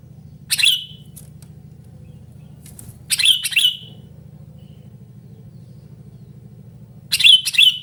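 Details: Sooty-headed bulbul calling loudly, for luring and tutoring bulbuls that sing little: scratchy chirps in ones and pairs, a single note early, a double around three seconds, another double at the end, over a steady low engine-like hum.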